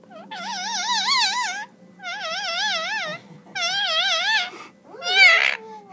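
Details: Indian ringneck parakeet singing: three long wavering whistled phrases, each about a second long with a rapid trilling vibrato and short pauses between them, then a harsher, rising squawk near the end.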